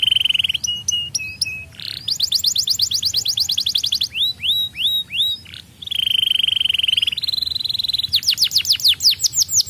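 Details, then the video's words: Young canary singing a sequence of tour-like phrases: steady rolling trills, quick rising notes, curved descending whistles and a harsh buzzy segment, delivered in rapid succession. "merangsang bunyi kenari muda"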